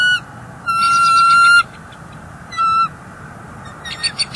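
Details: Bald eagles at a nest, an intruder eagle perched nearby and the female calling in displeasure; two high piping bursts of rapid, squeaky chittering notes, a third shorter one, then faint trailing chatter over constant low rumble.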